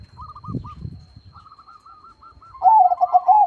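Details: Zebra doves, perkutut, in a crossing song session: faint rolling coos from several birds, then a loud, rapid, trilled cooing phrase near the end, low rumbling in the background.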